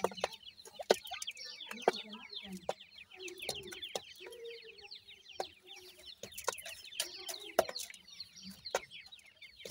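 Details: Francolin (teetar) chicks, called Irani teetar chicks, give a dense stream of thin, high, downslurred peeps throughout. Sharp clicks and a few low clucking notes are mixed in.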